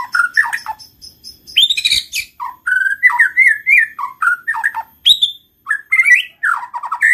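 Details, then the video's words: White-rumped shama (murai batu) in full, continuous 'gacor' song, used to prompt reluctant shamas to sing: a lively run of clear whistled phrases, rising and falling slurs and short trills, one after another with brief pauses. "pancing MURAI BATU malas bunyi/bahan paling mudah direspon tanpa takut |murai gacor |shama bird"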